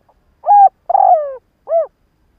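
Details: A single cooing phrase from a decoy spotted dove calling in the morning to attract others: a short hoot, a longer buzzy note sliding downward, then a brief arched final coo, with no background noise.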